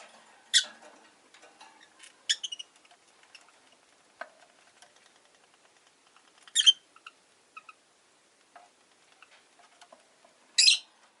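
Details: Rosy-faced lovebirds, five in a cage by a window where street noise carries in, give four or five piercing chirps spread over eleven seconds amid light clicking and rustling.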